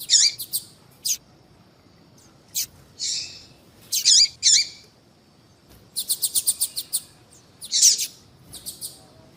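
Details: Female yellow-bellied seedeater calling to draw males, kept by breeders for calling contests: high buzzy notes and wavering chirps in bursts, with a rapid run of sharp ticks midway.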